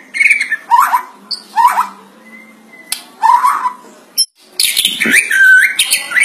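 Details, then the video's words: A White-rumped shama (murai batu) sings loudly, mixing harsh, rasping downslurred phrases, likened to a monkey's voice, with sharp whistles and a rich, rippling burst at the end, with brief pauses between. "murai batu bersuara kera"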